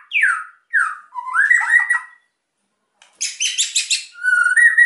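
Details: White-rumped shama in energetic, emotional song, used to provoke quiet birds into singing: falling whistled notes around mid pitch, warbled phrases, a pause, then a dense burst of high rattling notes and a long steady whistle.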